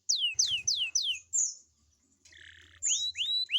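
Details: Morning singing of a young canary meant to prompt other young canaries to sing: four loud falling whistled swoops, a high sustained note, a soft buzzy passage, then rising upswept whistles.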